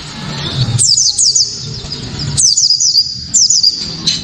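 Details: White-eye (pleci kaca mata) giving its loud, sharp, clear 'tembakan' song, used as a lure to set other white-eyes singing: two quick bursts of high, thin, downslurred whistles, with a low background rumble between them.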